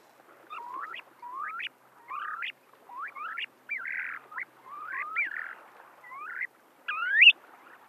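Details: A Snowy Plover, recorded March 12, 2012 at Salton City on the Salton Sea shore, California, gives a quick run of soft, rising whistled notes, about one every three-quarters of a second, over a faint hiss.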